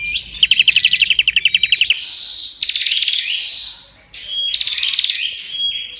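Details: Prinia in intense song: fast ticking trill that shifts into harsh, buzzy, high bursts with crackling edges, separated by sustained whistled tones and a short silence near four seconds.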